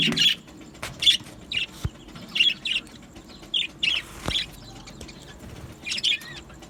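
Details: Aviary budgerigars chattering in bursts of short high chirps roughly every half second, with a couple of sharp knocks and steady low hum.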